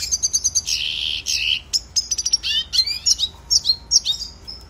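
A red siskin sings a fast, high twittering song of rapid repeated chips, buzzy trills and thin rising whistles, continuous for several seconds.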